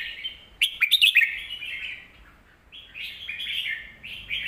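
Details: Red-whiskered bulbul song used to teach young birds. It opens with a quick flurry of bright whistles and clicks, then a pause, then rising slurred whistled phrases.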